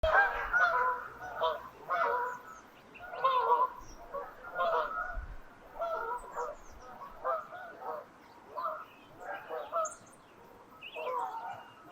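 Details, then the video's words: Birds at sunrise on a frosty winter morning over the Thames near Twickenham, during the dawn chorus with noisy geese flying through; loud nasal honks repeat roughly once a second throughout, with faint higher chirps above. "Winter Sunrise over the Thames and Birdsong"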